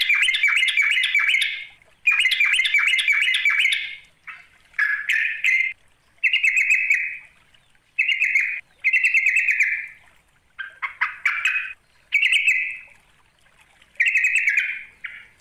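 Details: Yellow-vented bulbul call used to draw out a rival: bubbly, chattering phrases about two seconds long with harsh overtones, repeated in short bursts separated by brief pauses.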